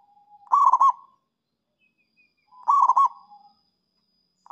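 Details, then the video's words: A zebra dove's rival-luring song, two stuttering coo phrases roughly two seconds apart, each a quick run of rolling notes trailing into a soft drawn tone, a third phrase just beginning. "Perkutut Super Gacor memikat lawan- perkutut manapun bunyi dengar ini"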